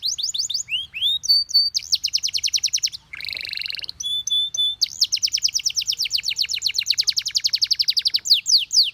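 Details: Canary singing continuously: quick falling whistles, a buzzy rattle mid-phrase, then a long, fast series of repeated chirps at an even rhythm, ending with sweeping whistles.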